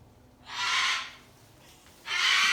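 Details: A pet cockatoo screams at a neighbour's farm equipment harvesting hay, giving two harsh, raspy screeches, each about half a second long and about one and a half seconds apart, with a faint low hum between them.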